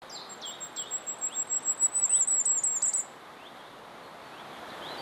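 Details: Firecrest song: a rapid, very high, thin series of about fifteen even notes that swell in loudness for three seconds, then stop abruptly. A few faint lower chirps from other birds sound in the background.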